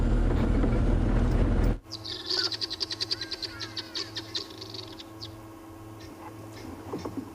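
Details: Helmeted guineafowl on an African safari drive give their harsh, rapid cackling alarm call, repeated every now and then, over a low vehicle engine hum.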